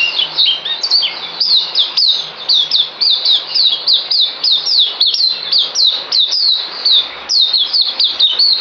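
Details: Songbird in captivity, 9 December 2018, singing a dense, tireless string of high whistles, each sliding downward, about one per second at first and then quickening, over a faint low hum.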